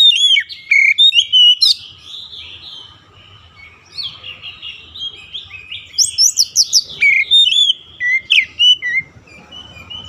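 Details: Oriental magpie-robin (kacer) in daily training toward a long rolling song: a continuous flow of bright whistles and twittering phrases, loud runs alternating with softer warbling, notes sweeping up and down.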